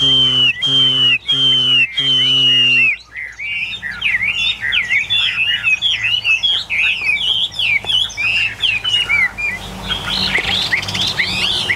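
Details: Tame caged Chinese hwamei, one of eight birds: a steady droning harmonic tone repeats three times at the start, then the bird launches into a lively stream of varied whistled and warbled phrases, growing harsher near the end.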